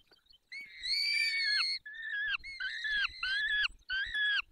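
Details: Feeding-time calls of a peregrine falcon in the Barycz Valley, Poland, 20 May 2021, 10:22. A long, strained, harmonic wail is followed by a run of shorter, downward-bending screeches with brief breaks between them.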